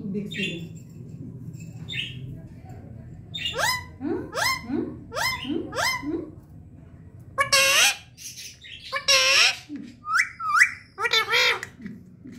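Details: Talking pet parrot gives a series of repeated rising harmonic syllables, then louder raspy squawks and bent whistled notes, over a low background hum and faint music.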